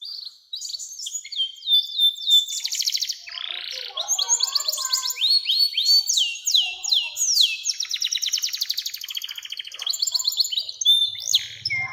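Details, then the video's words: Extended canary song used to lure young canaries into singing, mixing buzzy rattles, rapid trills and repeated sweeping whistled notes in long continuous phrases. "SUARA KENARI NEMBAK PANJANG‼️cocok buat pancingan kenari muda dan masteran burung"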